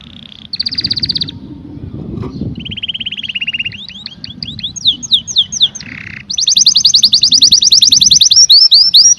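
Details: A canary sings varied phrases: a short trill, a lower rolling trill, slurred descending notes, a buzzy rattle, then a loud sustained run of fast high trilled notes.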